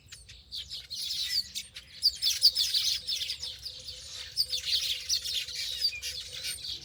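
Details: A dense chorus of birds twitters and chirps continuously with high notes, growing louder after the first second, while a faint steady hum runs beneath.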